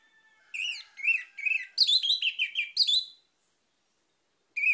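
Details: Orange-headed thrush singing to lure other birds into song: a fast sequence of varied, downslurred whistled notes, about a dozen in under three seconds, followed by a pause and the start of another phrase.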